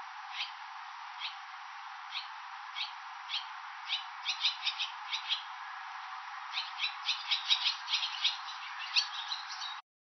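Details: Swallows raising young at a roadside station in Nihonmatsu, Fukushima, Japan, during May and June; single high chirps spaced about a second apart, then quickening into rapid twittering runs with brief pauses.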